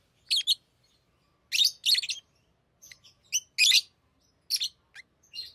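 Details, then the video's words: Tame pet lovebirds calling while playing with rings, giving harsh high chirps in short bursts and paired notes, with gaps of silence between groups. "Love birds Talking | Singing Sounds"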